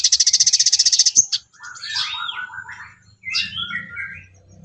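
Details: Sooty-headed bulbul song used as training material for songbirds: a fast, buzzy, high trill opens, then short bubbling warbled phrases slide between middle and high pitch, with a second phrase after a brief pause.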